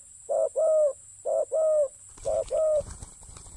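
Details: Spotted dove used for ground decoy luring gives three close pairs of low coos, clipped first note and sustained second, as rustling handling noise rises toward the end.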